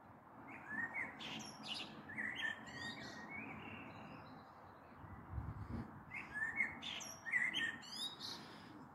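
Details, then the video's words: Common blackbird singing in the evening of 21 April 2022, recorded from a balcony as a storm may be approaching: mellow, fluting mid-pitched phrases ending in higher twittery flourishes, in two bursts with a pause; faint hum. "Sehr schöne Amsel mit Gesang am Abend"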